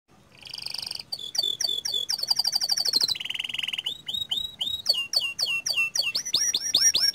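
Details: Panda canary singing actively in a rolling style with long bursts: fast buzzy trills at varied pitches, a steady low trill near 3 seconds, then a run of quick downward-sweeping whistled notes repeated several times per second.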